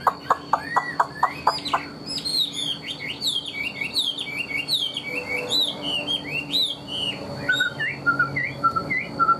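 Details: Caged Chinese hwamei in full song: several loud looping upslurred notes, then a fast varied run of whistled, warbling phrases with sharp repeated clear whistles at the end; faint hum in the background.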